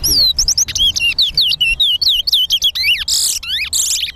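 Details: A song race between two caged towa towa birds at the Lamaha & Vlissengen Road bird ground, with songs counted. Clear, loud, high whistled notes that dip and rise repeat in quick succession, ending in bright, buzzy, rising bursts.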